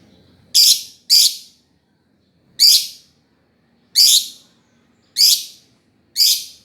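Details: Lovebird giving sharp, harsh high chirps in spaced bursts, six calls over about seven seconds, with a quiet background.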